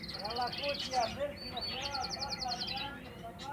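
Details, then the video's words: Canary in nature giving fast, even trills of high notes with short gaps between them, while a person talks in the background. "صوت كنار رهيب في الطبيعة"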